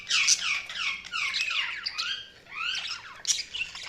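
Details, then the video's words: Budgie chirping: a run of squeaky, slurred warbles and rising and falling twitters, continuous and conversational. "Budgies Sounds| Budgies Chirping sound"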